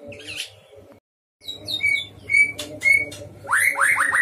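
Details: A white-rumped shama kept in a breeding cage sings in full voice: scattered notes, a pause, then clear whistles repeated, sharp clicks, and a fast run of rising upslurred notes, over a low background hum.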